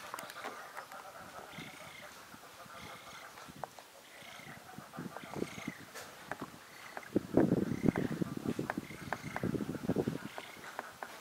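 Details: Juvenile Eurasian spoonbill begging for food from one of its parents: rapid, uneven series of nasal pulsed calls, growing louder and denser in the last few seconds as the begging intensifies.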